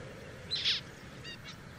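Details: Zebra finch giving a loud, short nasal burst, then two brief harmonic beeps about a quarter second apart, over a quiet background hiss.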